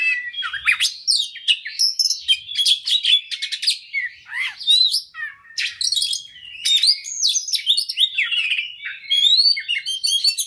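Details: White-rumped shama song, used to provoke a fighting bird into singing: a fast, continuous, varied stream of high whistles, trills and buzzy notes with sweeping slurs, scarcely pausing.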